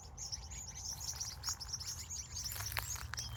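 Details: Birds at sunset in California, evening: steady high chirping chorus from several birds, with a few lower, sharper notes near the end and low rumbling noise.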